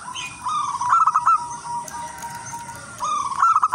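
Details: Melodious lure song of a local wild zebra dove: a quick rolling run of coo notes, a pause with a steady faint tone, then another trilled phrase.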